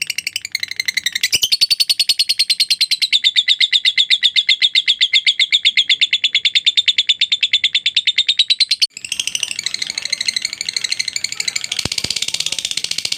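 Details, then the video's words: Lovebird in a long ngekek chatter, recorded as a tutor track for training other birds: rapid high buzzy pulses, about six per second, running for nine seconds, then a brief break and a faster, harsher burst of notes. "LOVE BIRD NGEKEK PANJANG"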